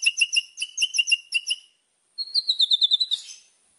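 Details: White-rumped shama, locally murai, singing complete isian fill-in song: a thin, very high rhythmic trill of about ten notes, a short silence, then a quicker high twittering series ending in a hiss.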